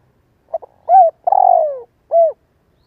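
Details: Spotted dove decoy bird with a fine voice, cooing to make other doves and young birds start calling: two quick soft notes, a clear rounded coo, a long buzzy descending roll, then a final rounded coo, in a quiet setting.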